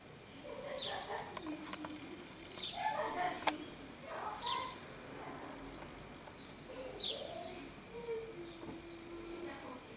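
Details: A common starling (Sturnus vulgaris), recorded 21 May 2016, gives varied chatter: slurred whistles, creaky notes and sharp clicks in irregular bursts, with a faint background hum.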